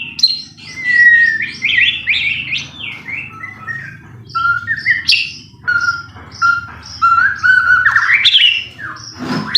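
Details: White-rumped shama singing to provoke a rival into song: varied whistled phrases, rapid repeated chips, long low whistles and rising flourishes separated by short pauses.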